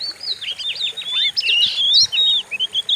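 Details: Oriental magpie-robin in a fierce lure song used to provoke other birds: loud, dense jumble of whistles, buzzy trills and chattering phrases, ending in short separate chirps.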